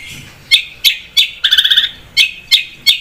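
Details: Long-tailed shrike singing vigorously as a lure recording: loud sharp chip notes spaced about every third of a second, broken by a quick rattling burst of six rapid harsh notes.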